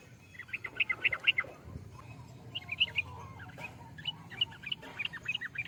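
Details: Bubbly chattering phrases from a yellow-vented bulbul, three bursts of fast warbled notes separated by short pauses, with low background rumble and faint clatter.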